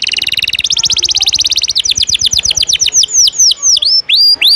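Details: Canary singing 'ngejos' fill material meant to tutor other canaries: a rapid dense trill opens, speeds into quick falling sweeps, then slows into separate looping whistles that dip and rise again, bright and high-pitched.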